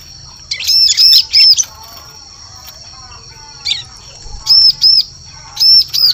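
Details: Bar-winged prinia (ciblek) call used as a lure for catching birds in forest: bursts of high, arched chirps in quick threes, with pauses between groups, over a steady thin high whine.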